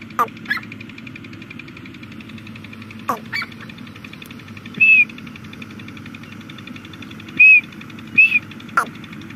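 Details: Female grey francolin calling nonstop in jungle, a voice used to lure birds for hunting; sharp clipped notes and short downward-sweeping cries, spaced irregularly a few seconds apart over a steady low hum.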